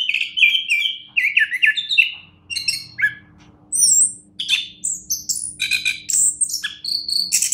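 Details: Champion orange-headed thrush singing a long sequence: a string of loud whistled slurs at first, then jumpier, higher notes and chatters in quick succession.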